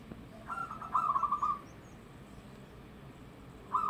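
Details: Local zebra dove singing loudly: a purring, rapidly pulsed coo phrase lasting about a second, then quiet, with another phrase starting at the end.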